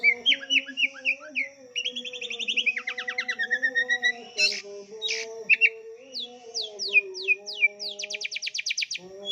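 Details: Oriental magpie-robin in full, rich song: rapid trills, rising and falling whistles and fast buzzy runs of high notes, over a steady low musical hum, with people laughing nearby.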